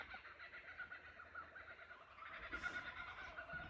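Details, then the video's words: A group of kookaburras, recorded from a cottage verandah at Ballandean, chatter together in a dense, continuous cackling chorus of rapid, harsh notes that swell louder toward the end. "Kookaburra sounds"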